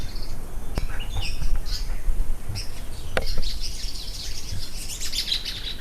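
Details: Mauritius paradise flycatchers, pairs in the breeding season in Mauritius forest, give high, thin, agitated twittering in quick irregular bursts, with a male singing faintly in the background, over a steady low rumble.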